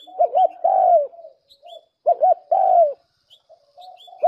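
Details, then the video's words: Pigeon giving two quick rounded coos then a long sliding coo that trails off, the phrase repeated twice, with soft faint chirps and low murmurs filling the gaps. "TIẾNG CHIM BỒ CÂU"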